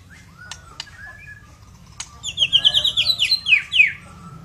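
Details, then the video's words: A white-rumped shama (Copsychus malabaricus) sings: a few slurred rising whistles and sharp clicks, then a fast, rich run of bright chattering notes, about three per second. "The White-Rumped Shama"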